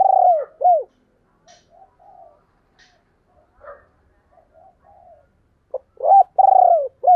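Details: Spotted dove calling in the thúc and gáy gọi style: loud arched coos open and close the sequence, each rising then falling. Between them come several soft, faint cooing notes and a few light clicks.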